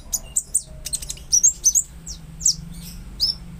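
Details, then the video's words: Konin, a caged songbird, used to coax a silent or stressed bird into singing: scattered high, sharp descending chirps and short whistled notes in irregular bursts over a low steady hum. "Pancingan konin agar LANGSUNG NGOBRA dan GACOR"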